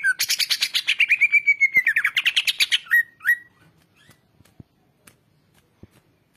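Greater green leafbird giving a fast, rich run of bright chirps and whistles, about three notes a second, ending in a drawn-out whistle and a few soft clicks.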